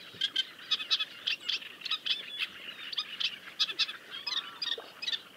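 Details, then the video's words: Great reed warblers (Acrocephalus arundinaceus) chatting with harsh, grating, rattling notes in quick uneven bursts, several per second, mixed with a few squeaky upward notes. "Chatting great reed warblers"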